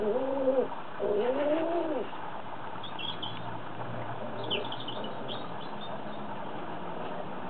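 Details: Pet doves described as a pair in love. Two rounded, arching coos with a throaty hollow tone open the recording. Faint high chirps and quiet rustling follow over a low hum.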